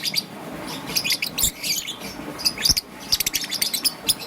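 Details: Green and yellow young peach-faced lovebird in the morning giving quick runs of thin, high, twittering chirps, sparse at first and then denser rapid trills toward the end, over faint background hum.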